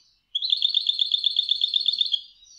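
European goldfinch giving a bell-like 'cascabel' phrase: a fast, even trill of bright tinkling notes lasting nearly two seconds, a slightly lower variant.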